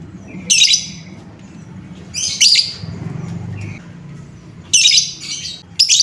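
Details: Lovebird sound used as a lure to stir up and excite other lovebirds: three bursts of shrill, harsh, high chirping about two seconds apart, with a faint low hum underneath.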